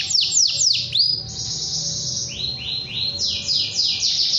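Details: Canary singing long and lively while calling a rival: fast series of high, sharply falling whistled sweeps, then a sustained trill and more descending sweeps, delivered several per second.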